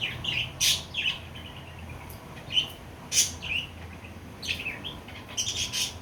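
Budgerigars give bright, scratchy chirps and warbles in irregular bursts.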